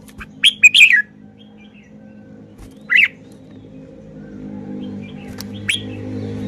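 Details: Song of a caged red-whiskered bulbul: a quick burst of liquid, warbling notes, one separate slurred note, then a faint closing note, with constant low humming in the background.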